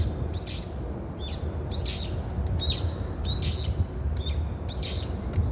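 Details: Brown-eared bulbul uttering bright, clipped chirps with sweeping inflections, delivered in groups about every half to one second over low, rumbling background noise.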